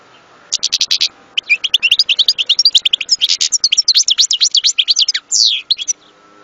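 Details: European goldfinch delivering a continuous rapid twittering song of mixed chirps, trills and swooping notes, with one short buzzy note near the end; faint steady low hum underneath.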